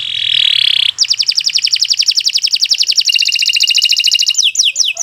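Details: Kenari Nusantara canary in long, continuous song meant for tutoring other birds. A steady high whistle gives way to a long rapid trill of pulsed notes that shifts slightly lower midway, ending in quick downslurred notes.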